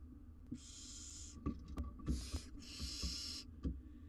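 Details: Four barn owl chicks in a wild, research-monitored nest box in Israel, with their mother absent. Three harsh, wheezy hisses follow each other, the last long and strong, and soft knocks and shuffling sound between them.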